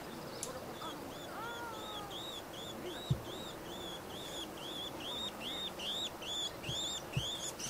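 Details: Warbling white-eyes fighting on the ground, pinning and pecking a rival, at Hōkoen, Wada, Minamibōsō, Chiba, Japan, 31 January 2024: fast, thin, high arched notes, several each second; a few dull thumps and low rumble beneath.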